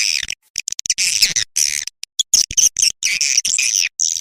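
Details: Swiftlet chatter from a Manuk Ireng 01 lure recording meant to draw swiftlets to a nesting house: harsh, buzzy high bursts broken by short silences, several per second.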